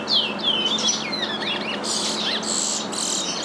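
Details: Captive-bred chestnut-bellied seed finches, two birds from one breeder, singing the same regional Curitiba-style song as their father: clear descending whistles running into rapid, buzzy, rasping trills, loud and continuous.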